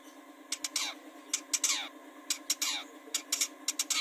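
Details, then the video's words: Long-tailed shrike, cendet, meant to make birds sing: sharp clicks mixed with harsh descending rasping squawks in short bursts, over a steady hum. "Pancingan Burung Cendet supaya gacor"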